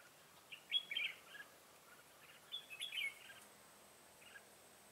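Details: Red-whiskered bulbul used as a trapping decoy, singing in a fight to draw wild bulbuls, 25 September 2018: two loud, quick warbled phrases with sharp chirpy notes about two seconds apart, a soft note after, light background hiss.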